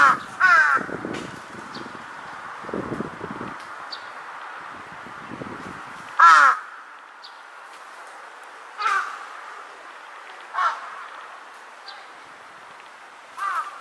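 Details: Large-billed crow in Japan on 2 September 2022, calling as if answering distant crows: loud, hoarse caws spaced a few seconds apart, some fainter distant caws between, with low rumbling background noise.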